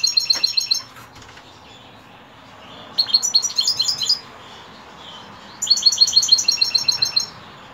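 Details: European goldfinch in the evening, delivering three phrases of rapid, jingling high twitters with short silent gaps; a faint click near the start.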